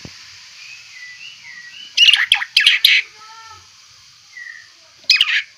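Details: White-rumped shama, described as a fierce-looking fighter-type bird with a rich song repertoire: loud harsh rasping bursts around two and five seconds, with soft high whistled notes between them over a steady background hiss.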